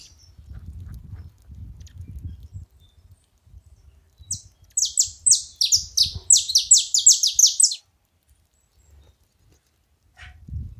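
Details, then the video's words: Saffron finches calling together: after several seconds of low background rumble, a dense three-second burst of rapid, high, downward-sweeping chirps overlaps, then fades back to quiet with soft noise. "Canarinhos da terra junto fazendo barulho"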